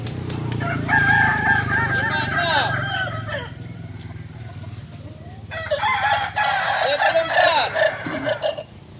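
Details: Kokok Balenggek rooster at a crowing practice in Ampang Kualo, Solok, giving two long stepped crows of many quick syllables, separated by a quieter gap, over a steady low engine-like hum.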